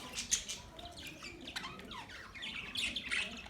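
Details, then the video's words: Budgerigars chirping, with scratchy warbled notes and sharp high chirps in short bursts, quieter in the middle, faint background hiss. "Beautiful budgies Birds chirping sounds"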